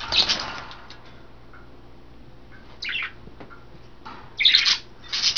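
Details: Pet budgerigars bathing in a water dish and vegetables, three females among five caged birds, February 2012; a few scratchy chirps spaced by quiet gaps, then a louder pair of squawks near the end, low indoor hum.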